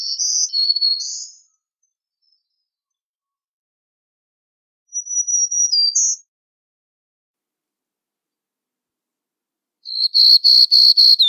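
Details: Black-throated green warbler repeating its song three times: a wheezy buzzy phrase, a thin high buzz ending in a brighter note after a pause, then a rapid stuttering run of about seven short buzzy notes.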